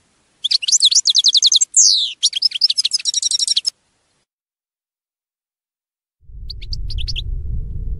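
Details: European goldfinch song used to teach captive birds: rapid twittering trills and buzzy tinkling phrases, with one long descending slur, then silence and a later burst of low rumbling noise with brief high chirps.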